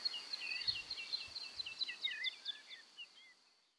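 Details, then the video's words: Woodlark song from the Czech Republic: a quieter, more distant cascade of clear descending whistled notes, repeated about twice a second, fading out at the end, with a few low thumps early on. "Bird sounds – Woodlark (Lullula arborea)"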